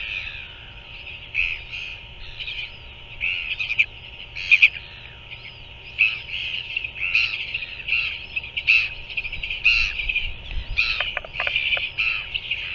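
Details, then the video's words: Royal albatross chick being fed by its parent in New Zealand on 7 February 2024 at 5:41 pm, caught on a nest camera: a series of short, rough squawking bursts, repeated irregularly about every second, with steady background hiss. "Royal Albatross~BOK's chick is fed by parent"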